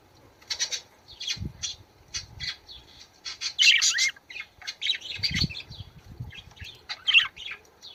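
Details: Budgerigar warbling meant to encourage birds to mate, a busy run of chirps, squawks and scratchy trills in quick clusters, with occasional low bumps underneath.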